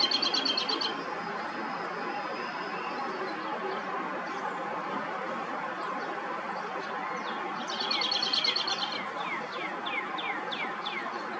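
American robin giving bursts of shrill, high chattering shrieks, then a run of quick, sharply descending squeaky notes, over a steady rushing background noise.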